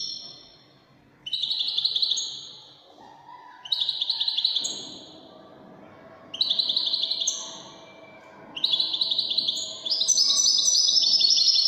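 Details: Widani goldfinch singing in repeated bursts of high, buzzy, liquid twittering, four short phrases separated by pauses, then a longer, richer run at the end.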